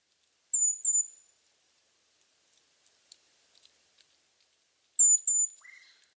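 Brown Creeper giving two brief bursts of very high, thin, hissing notes about four seconds apart; the second phrase ends on a lower slurred note.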